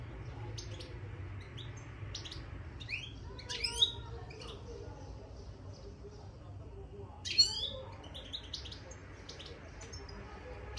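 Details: Caged European goldfinch twittering after being placed in its cage: two short bursts of bright, buzzy, rapidly rising chirps a few seconds apart, with faint scattered high notes between and a low background hum.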